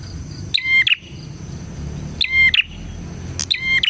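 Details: Bar-winged prinia song intended for training other prinias and as a lure to attract them. Short bright whistled phrases with a sharp upward flick and a steady note, given in bursts roughly every one and a half seconds, over faint background hiss.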